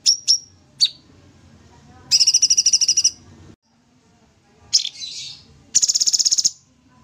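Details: Sooty-headed bulbul singing vigorously in 'tembak' style as a master recording: three short high chirps, then a second-long rapid rattling trill, a brief raspy burst and a closing fast pulsed trill.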